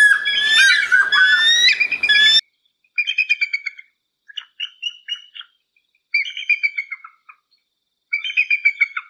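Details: Bald eagle: a loud, harsh stretch of layered squealing calls, followed by four staccato chattering series of rapid piping notes, each burst about a second long and separated by pauses.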